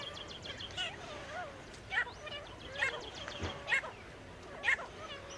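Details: Male and female teetar partridges calling: loud harsh notes rising to a sharp peak, repeated roughly once a second, over a steady background of small high chirping birds.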